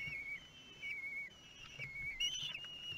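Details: At a Théding nest in France on 5 June 2022, 13-day-old kestrel chicks beg during feeding with long, level, quivering whistled cries, each dropping slightly at the end, in near-continuous succession.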